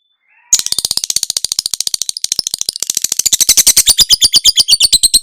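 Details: Lovebird in long ngekek chattering used as master training audio for cage birds: after a brief silence, a fast, unbroken rattle of shrill, buzzy notes, nearly three per second, growing louder and higher toward the end.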